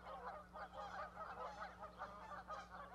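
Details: At an osprey nest platform in Charlo, Montana, a goose parent broods goslings, May 12, 2020. Loud, continuous run of throaty honking calls in quick pulses, with a faint low hum.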